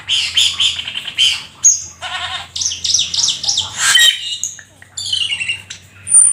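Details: Black-winged starling in full, lively song: rapid chattering trills, harsh grating phrases and rising whistled notes, ending in a thin high whistle, all from one energetic bird.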